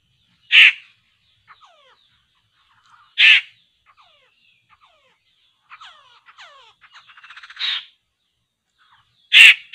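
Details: Poksay laughingthrush at a trapping site: three loud rasping bursts spaced about three seconds apart, between them faint downslurred whistles and a quickening run of soft clicking notes.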